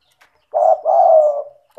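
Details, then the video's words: Spotted dove, locally tekukur, calling as a lure for doves reluctant to call: one deep, soft coo phrase, a short note running into a longer drawn-out hum, then the start of the next coo. "Pancingan bunyi suara burung tekukur gacor cocok untuk terapi tekukur malas bunyi"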